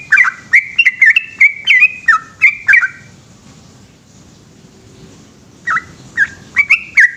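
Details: A yellow-vented bulbul sings a long 'ropel' phrase at night. Fast whistled notes tumble in a dense run, break off for about two seconds of near-silence with a faint hum, then resume.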